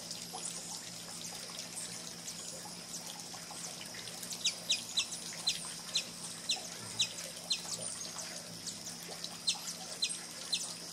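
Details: Sombre hummingbird at Trilha dos Tucanos, São Paulo State, Brazil, in April 2019, giving thin, sharp, high chips about twice a second in the second half, over a steady high insect-like hiss and faint trickling water.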